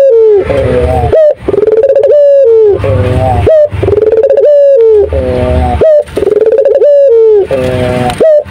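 Loud, close, low-pitched rolling coos from a turtle dove, given in steady phrases about every two seconds, with a faint low hum underneath.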